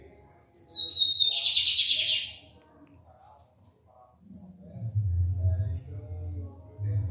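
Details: Barbado song of a lined seedeater: a high whistle dropping into a harsh, buzzy trill of around one and a half seconds, followed by a man speaking.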